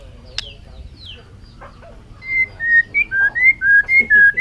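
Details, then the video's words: A bird, recorded in 2021, gives a run of clear whistled notes in the second half, each short and slightly slurred, about four per second, alternating between higher and lower pitches. The first half holds faint background rustling. "suab noog quaj zoo heev"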